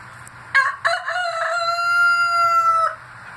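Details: A rooster's morning wake-up call: one full crow of two short choppy notes, then a long, steady, slightly falling drawn-out note lasting about two seconds, over a faint low hum.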